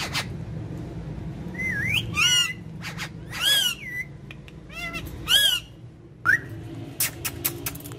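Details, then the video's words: Two talking parrots: stacked, voice-like squawked syllables in short bursts, with a sweeping whistle, clicks and steady background hum. "Two Super Cute Talking Parrots"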